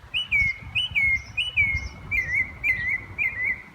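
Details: Northern Mockingbird singing, a bird known for mimicking many other birds' calls and sometimes repeating a call: a series of clear whistled slurred phrases, each first rising then falling, repeated about every half second, over low background rumble.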